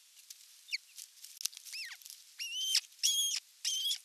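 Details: On an osprey nest during the evening meal, 30 June 2022, nest camera: a downslurred whistle, then three strong, steady whistled notes in fast series, amid soft clicks and rustling.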